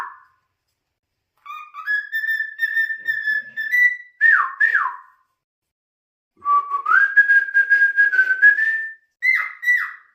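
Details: Pet cockatiel whistling indoors in two phrases separated by silence, each a long steady whistle stepping slightly up, then sharp falling chirps; the second phrase has a rough, pulsing edge.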